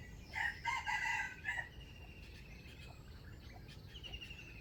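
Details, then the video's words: Wild chicken with a standard crowing voice, used for trapping, recorded 05/07/2025: a loud, harmonic, stuttering crow lasting over a second near the start, then fainter bird chirps and a constant insect buzz. "Trap wild chicken with standard crowing voice"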